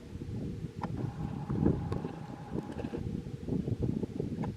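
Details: Gusty wind buffets the microphone with heavy low rumble and a faint steady mechanical tone; no animal calls.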